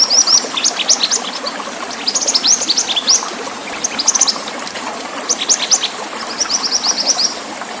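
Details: Pied bushchat song mixed with the sound of water: bursts of rapid, sharp, high ticking notes about a second long, repeated after short pauses, over a steady rushing water hiss.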